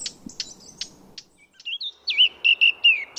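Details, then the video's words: Wild Eurasian blackcap from France: a few sharp high ticks at first, then a clear fluting run of whistled notes at a steady pitch, each note slightly descending at the end. "chant & cri de la fauvette à tête noire HD - song & call eurasian blackcap"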